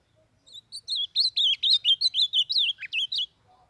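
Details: Young Northeastern blue-black grosbeak song for training birds: a clean, fast sequence of warbled whistles, slurring up and down, roughly fourteen notes in under three seconds, with near silence around it.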